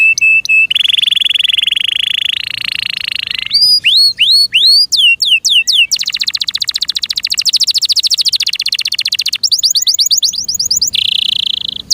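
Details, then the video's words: Pet canary, Serinus canaria, in full loud song: a steady high trill, then looping whistled upslurs, a long fast rattling roll, and another sustained trill to finish. "THE BEST CANARI BIRD"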